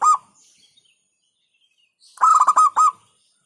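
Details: Local zebra dove singing: a single short coo, a pause of about two seconds, then a fast rolling run of about five stuttered cooing notes.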